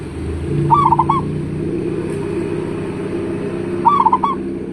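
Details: Local zebra dove calling as a lure for other doves to answer, voice described as big: two quick bubbling coo phrases about three seconds apart, with a soft low hum in the background.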